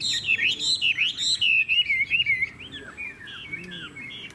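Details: Strong, sweet whistling from a caged Chinese hwamei in Vietnam: bright swooping notes rise and fall quickly, then soften into shorter slurred phrases.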